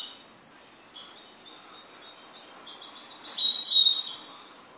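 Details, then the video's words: Goldfinch kept at home gives quiet, thin, high notes that build into a loud, bright, jangling twitter near the end. "MI JILGUERO"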